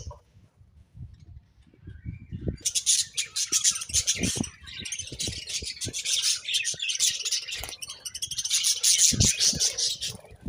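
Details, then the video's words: Chirping budgerigars: after a few seconds of low tapping and thuds, a sustained stream of high, scratchy twittering chatter with quick warbled notes, continuing with brief dips, over soft knocking in the background. "Budgies Chirping Sounds"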